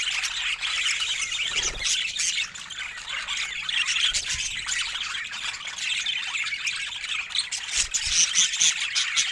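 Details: Many budgerigars chatter at once in a dense stream of high, rasping chirps and warbled squawks, with a few soft low bumps.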